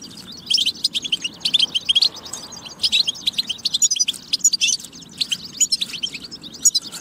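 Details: European goldfinch in tabtaba song style, used to encourage goldfinches to sing: lively high twittering phrases of sharp chirps and rolling trills, delivered in rapid clusters with short breaks, over low steady background noise.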